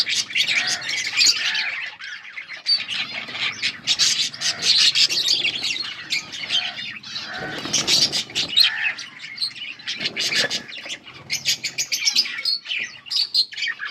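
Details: Yellow budgerigars chirping together, August 20, 2024: long stretch of busy high chatter and squawks, a few rustling wingbeats, and faint lower arched notes recurring.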